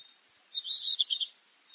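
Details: Black redstart singing one brief phrase: a high, thin, scratchy run of rapid notes rising into a short cluster of sharp chirps, with faint high notes before and after.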